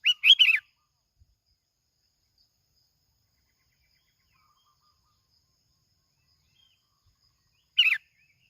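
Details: Plain-backed sparrow from Bình Thuận, Vietnam, used as a lure: a burst of several quick warbled chirps, then a long silence and a second short chirping phrase.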